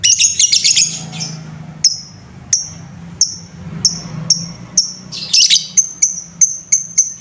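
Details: Provoking lovebird sound for an untrained bird: a scratchy chattering burst, then sharp single high chirps repeated roughly twice a second, with another chattering flurry near the end, over a faint hum.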